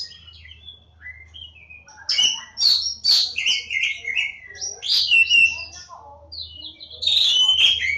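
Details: Kacer Jawa, the Javan Oriental magpie-robin, recorded at Lebakgowah: quiet scattered notes, then bursts of sweet whistles mixed with harsh, scratchy chips, over a faint low hum.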